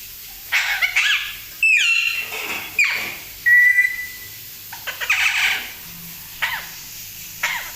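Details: Pet parrot imitating coughing: harsh noisy bursts and rasping notes around a screechy whistled middle, spaced irregularly across several seconds, indoors with a quiet background.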